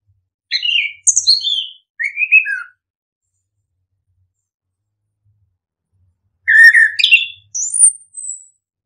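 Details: Orange-headed thrush giving a lure song for silent birds: three quick, warbled whistle phrases, then a long silence, then another cluster of high, tumbling notes finishing with a thin rising whistle.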